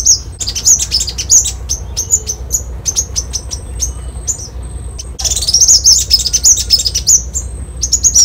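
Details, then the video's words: Copper-throated Sunbird (Leptocoma calcostetha) giving a rapid, high, thin twittering song of sharp chips and trills, with a steady low background hum. "Tiếng chim Hút mật Tía ô ✅Copper-throated Sunbird (Leptocoma calcostetha)"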